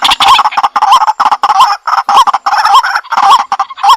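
A White-breasted waterhen gives harsh, nasal croaking notes in quick succession, nearly two per second, a loud grating chorus with no other sounds.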